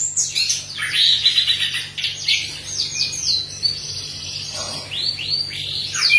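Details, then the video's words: Orange-headed thrush song used to prompt other birds to sing: busy, tumbling high chirps and slurred whistles, sustained throughout, with some hiss and a low hum. "Anis Merah Gacor Teler. Cocok untuk pancingan Anis Merah super ampuh"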